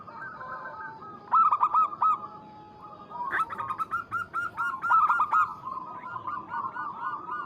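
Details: Local zebra dove calling out a rival, with repeated loud bursts of rolling, bubbling coos overlapping softer cooing from other doves throughout.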